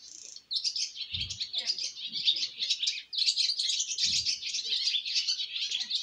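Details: Fledgling swallows on their first flight chatter in a thick, high-pitched twittering chorus that runs almost without a break, with occasional low thuds beneath.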